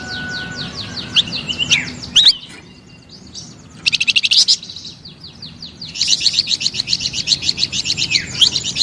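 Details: Flamboyan bird in full song. Sharp descending whistles and squeaks are followed by a quiet gap, a brief burst of fast clicking notes, and then a long run of rapid high chirps.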